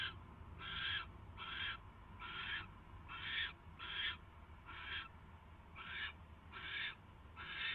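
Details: Barn owls filmed by nest camera at 10:22 PM on 22 January 2016 as prey, a mouse, arrives: a run of about ten harsh, wheezy hissing calls, each short and noisy, repeated at a fairly even pace, with steady low hum behind.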